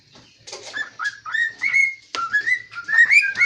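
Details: Pet cockatiel, thought to be male because it talks, singing indoors in a kitchen: a run of clear whistled notes sliding upward and holding, with short pauses between phrases.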